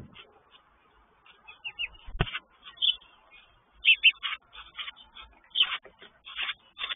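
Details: Mother sparrow on the side of her nest with chicks, chirping aggressively at another sparrow nearby in territorial defence: sharp, bright chirps in quick bursts after a quiet start, with a scrape.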